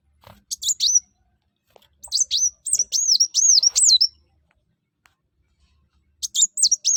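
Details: Sunbird singing loudly, used to make other birds join in: brief high chirps, then a fast two-second chain of swooping, looping whistles, a pause, and another quick burst of thin notes.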